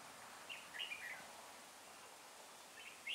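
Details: Red-whiskered bulbul from a mountain forest, used as a caged decoy singing in a trap to lure rivals, recorded 9 April 2018; brief faint bursts of quick whistled, chirping notes, then a short phrase near the end, over quiet outdoor ambience.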